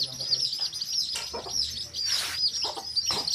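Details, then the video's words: In a field, a hen's colour-dyed baby chicks peep in thin, high, falling notes, partly masked by rustling bursts of broadband noise and a low rumble. "Hen Murgi Baby Chicks Chirping Sound"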